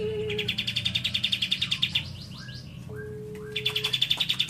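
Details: Singing lovebird with cililin fill: fast repeated chirps in quick trains, a pause with soft sliding whistles and a steady low tone, then another rapid chirping run.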